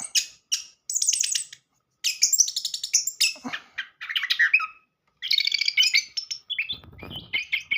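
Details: Lure song of an orange-headed thrush in a modern style, meant to prompt a silent bird to sing: long, rich run of varied high whistles, trills and rapid chattering phrases, separated by short pauses.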